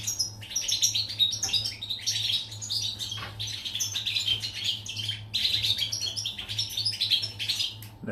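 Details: Goldfinch singing, recorded 14 July 2019, in fast liquid twittering bursts of bright chirps and short trills, with brief pauses near three and five seconds, against a constant low hum.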